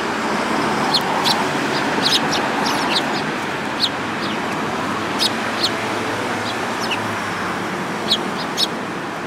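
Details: Several sparrows, among them a yellow-beaked one, recorded 29 January 2018; frequent scattered high chirps and tweets throughout, irregularly spaced, over a dense hum of traffic noise.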